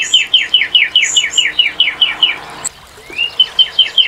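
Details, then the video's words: Northern cardinal repeating clear downslurred whistles about four times a second. After a brief break comes a rising slide and a fresh run of similar notes. "Cardinal:Découvrir le chant et la beauté du Cardinal du Nord"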